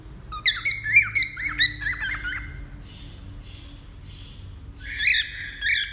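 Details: Cockatiel song: a quick run of ringing, harmonic chirps and slurred notes, a pause with faint soft whistles, then two louder squawky notes near the end, low room hum beneath.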